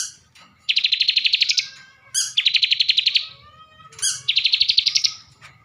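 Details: Bar-winged prinia kept caged in Tegal, Java, delivering three phrases about two seconds apart, each a piercing high note then an even, fast trill of around fifteen pulses; soft low hum in the background.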